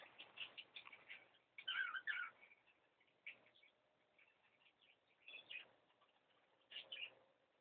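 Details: Cockatiels calling indoors in a room, recorded on a mobile phone: scratchy chirps and squawks in irregular bursts, louder clusters near the start and end, with faint room noise.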